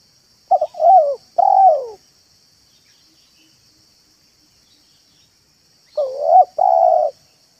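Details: Tame spotted dove calling in a home yard, used to lure other doves. Two cooing phrases separated by silence, each with short broken notes leading into a drawn-out mellow coo that dips at the end, over a constant thin high hum.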